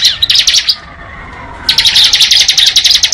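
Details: Bar-winged prinia in ngebren style: a fast run of sharp, high ticking notes, a short pause, then another long, evenly paced burst of the same rapid ticks, nearly four per second.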